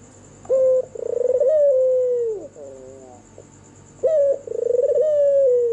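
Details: White red-eyed albino turtle dove cooing at night: two long, mellow, wavering coos, each opening with a sharp rise and then sliding down in a tremulous drawn-out note, with a quiet pause between them and a faint steady hum.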